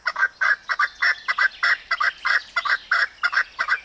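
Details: Arabian partridge (maskati chakor) calling in rapid rhythmic bursts of rough, chuckling paired notes, about three every two seconds, loud and clear against a quiet background with a thin high-pitched hum.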